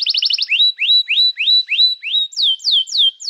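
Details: Canary master song for training young birds: a brief fast trill, a series of rising upslurred whistles repeated about every third of a second, then descending sweeping notes.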